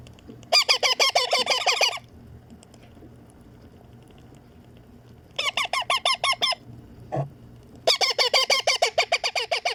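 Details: Baby Indian ringneck parakeet, a green pet parrot, begging while being fed: bursts of rapid, harsh, nasal squawks repeated about three times a second, in three bouts separated by quiet pauses.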